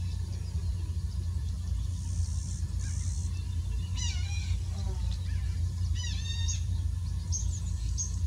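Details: Collared Plover (Charadrius collaris) in the Amazon giving thin, sharp, high calls, some in quick clipped bursts, spaced a second or two apart over a heavy low rumble of wind.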